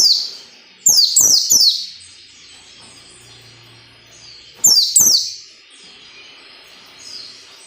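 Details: White-eye delivering ngalas nembak song for training caged white-eyes: a fast volley of three piercing descending shots, high thin twitter, then two more shots near five seconds and a softer note after.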